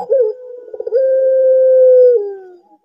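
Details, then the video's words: Barbary dove kept to set other doves calling; a brief rising note, a rapid stuttering flutter, then a long level, hollow coo held over a second before dropping lower at the close. "SUARA SERAM BURUNG PUTER"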